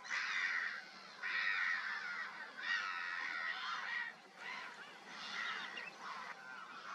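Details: Several great white pelicans calling at Kerkini Lake in Greece: coarse, goose-like honks in bursts about a second long, separated by brief quieter gaps.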